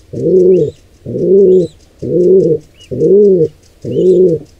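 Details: Wild pigeon at a nest where an intruding pair attacks a squab. Deep, hollow coos rise and fall, five in a row about a second apart. Faint high chirps sound in the background.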